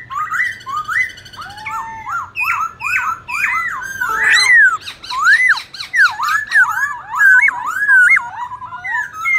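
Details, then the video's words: Black-throated laughingthrush delivering varied competition song to provoke rival birds: chattering phrases giving way to looping, rising and falling clear whistles. "Khướu bạc má hót đấu nhiều giọng kích bổi cực sung"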